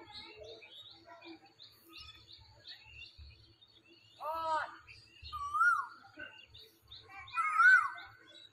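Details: Asian koel calling from a tree in springtime. Two loud, rising, whistled notes are repeated about two seconds apart. A brief harmonic sound comes just before them, with soft twittering of other birds throughout.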